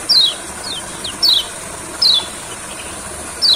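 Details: Olive-backed sunbird singing in a rice field as therapy for birds reluctant to sing: clear, high, thin notes sliding steeply down, repeated roughly every second over faint background noise.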